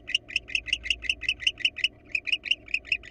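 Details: Wild male barn owl at his nest box, trying to convince a female to enter: a fast, steady series of short, sharp chirping notes, about six per second, with a brief pause partway through.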